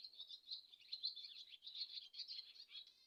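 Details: A swallow chatters steadily throughout, a dense stream of quick warbled, scratchy notes with slight rises and falls and no break.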